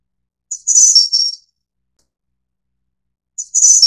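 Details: Snowy-browed Flycatcher of the Taiwan subspecies innexa: a short, very high, thin phrase of a few sharp tinkling notes with a slight drop at the end, followed about three seconds later by a second phrase that is cut off. The background is silent.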